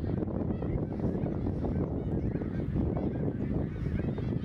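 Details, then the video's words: Autumn 2021 migration of greater snow geese over Ottawa, Canada, hundreds of thousands flying in the sky; a continuous babble of short, harsh honks from many birds at once, layered over a steady deep rumbling background. "Snow Geese Migration Fall 2021"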